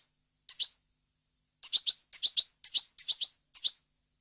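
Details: European goldfinch, on a clean tutoring recording for chicks and hybrids: short clusters of two or three bright, high tinkling chirps, repeated about every half second after an initial pause.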